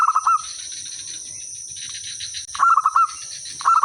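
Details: Local zebra dove singing vigorously, used as a lure to get other birds calling back: quick stuttering bursts of clipped coo notes at the start, middle and end, with a persistent high-pitched whine underneath.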